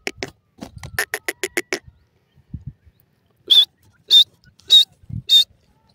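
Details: Grey francolin in a breeding farm during the breeding season: a run of dry clicking notes, then four loud, harsh, high notes spaced about 0.6 seconds apart, each with a short bent whistle at the top.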